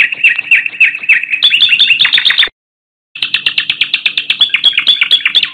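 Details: Spring sunrise song of a thrush nightingale: dense, rapid chattering phrases of repeated high notes, broken by a brief silence, then resuming with a fast rattling sequence of bright, slightly rising elements.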